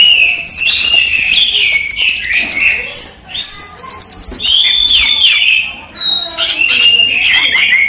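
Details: Caged orange-headed thrush in a bird collection singing during the day: a rich, varied run of whistled and chattering phrases, sliding notes and fast trills with barely a pause, with some mimic-like buzzy bits mixed in.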